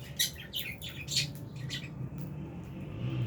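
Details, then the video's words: Albino and Fisher's lovebirds: a quick run of sharp, high chirps over the first two seconds, fading out against a noticeable low hum. "Lovebirds Chirping Sounds"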